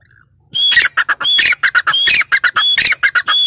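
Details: Grey francolin, a female, calling loudly and continuously: shrill squealing notes, some opening with a rising whistle, alternate with short harsh bursts in a quick, uneven stuttering rhythm lasting three seconds.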